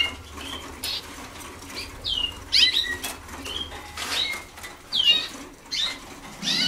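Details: Waterslager canaries early in song schooling sing unfinished phrases: brief descending whistles and chirps, uneven in timing, mixed with fluttering wings and rustling in an indoor room.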